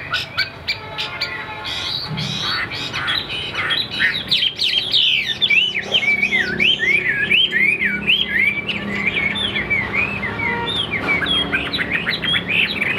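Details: A tam hoàng Chinese hwamei, a caged songbird, sings in late afternoon, not yet in full song: a loud, fast run of ringing, slurred whistles rising and falling, with harsher squawky notes; faint background chatter early on.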